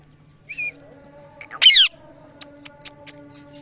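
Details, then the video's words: A parrot making different noises gives a short soft whistle, then a loud harsh squawk, followed by a run of quick sharp clicks, with steady low hum throughout. "Parrot Making Different Noises"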